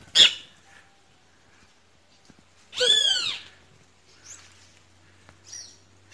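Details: Great kiskadee (Pitangus sulphuratus) giving one short sharp note, then after a pause a single longer, loud, harsh screech, with faint squeaks and a low hum in the background.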